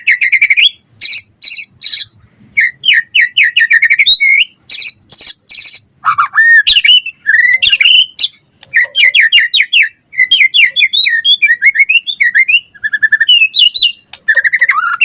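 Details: Gacor full-isian song of a white-rumped shama (murai batu), used to draw quick replies from other shamas: dense, non-stop chatter of high chips, sharp whistles and twittering runs over fifteen seconds.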